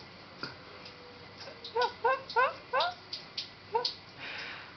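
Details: Captive red-crowned parakeet, or kakariki, splashing in a sink bath and uttering a quick burst of about six bright, bouncy chattering calls with upward inflection, then one more note.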